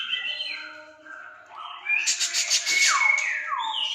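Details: Aceh white-rumped shama giving wavering whistled phrases that give way to a rapid rattling burst and loud falling whistles, sounding fierce and intense.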